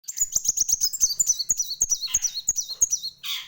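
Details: Purple-throated sunbird singing sharply and lively: a rapid stream of very high, thin whistled notes sliding down and up, about four per second, with soft ticks beneath and a brief rasping burst at the end.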